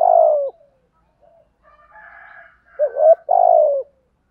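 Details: Decoy-training recording of a spotted dove in the thổ thúc gù style: a long falling coo, a quiet gap with faint higher murmurs, then a wavering short note and another long, falling coo.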